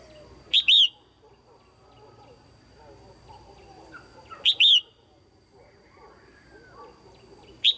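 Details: Female red-whiskered bulbul calling loudly and clearly to stimulate males or for pairing: paired whistled notes repeated about every four seconds, with soft chatter and murmurs behind.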